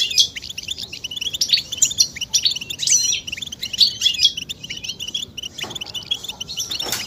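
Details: European goldfinch mating-call twitter, played to stimulate male song. Lively rapid chirps and trills fill the first five seconds, then thin out, ending with a sharp broadband crackle.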